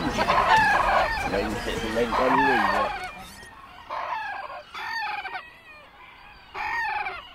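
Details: Bantam roosters at a crowing contest of thirteen birds: overlapping harmonic crows at first, then separate crows spaced a second or two apart, each a rising then falling, strained phrase, over crowd murmur.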